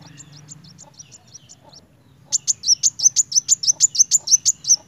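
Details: Energetic narung singing of a kolibri wulung sunbird, starting with soft, thin high notes and breaking into a loud, fast series of around sixteen sharp, repeated chirps.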